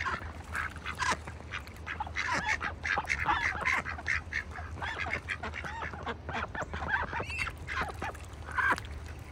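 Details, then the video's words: Several ducks in a bucket on a farm in wintertime keep up a busy run of coarse, overlapping quacks and chatter, with a constant low hum behind them. "ducks in a bucket - wintertime"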